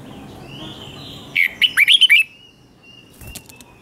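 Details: Red-whiskered bulbul kept in a cage, giving its doubled song for young birds to learn. A thin steady tone comes first, then a quick burst of five or six bright chirpy notes. A few faint clicks follow.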